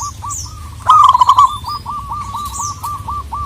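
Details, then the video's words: Calling a rival, a local wild zebra dove delivers a continuous string of short, bouncing coo notes at an even fast pace, one louder burst in the middle, with light background chirps. "Perkutut lokal gacor memanggil lawan, burung kutut manapun langsung NGAMUK"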